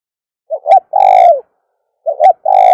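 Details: Loud, harsh dove cooing for calling doves: a pair of short rising notes, then a long, steady, slightly falling coo, with the pattern starting again about 1.5 seconds later and cut off at the end.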